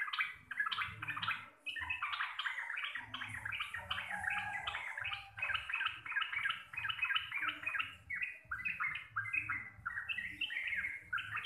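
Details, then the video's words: Sooty-headed bulbul, a local Javanese bird, giving a long receh-style chattering song described as deep, clear and loud with rolling ropel phrases: dense, rapid bursts of buzzy, warbled notes, nearly continuous with a brief pause near two seconds, over low background hum. "TRUCUKAN GACOR RECEH DURASI PANJANG"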